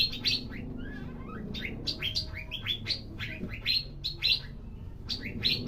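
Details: Javan green magpie in energetic song: loud, repeated sharp whistled and chattering notes, rising and falling, delivered in quick bursts about every half second, with low background hum.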